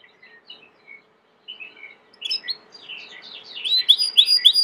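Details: Domestic Belgian canary singing: a few faint scattered chirps, then a louder, busy jumble of twittering notes and quick slurred whistles building toward the end.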